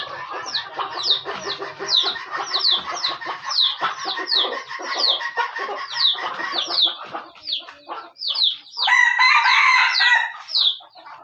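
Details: Aceh junglefowl kept as a decoy: a long run of quick, high, downslurred chirps with rough clucking underneath, then a loud, dense, harsh crow near the end.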